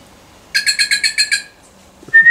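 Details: Wild bird, unused to people, being approached with food and interacting with a person; a fast series of seven buzzy, evenly spaced harmonic notes, then a brief pause and a clear, steady whistled tone.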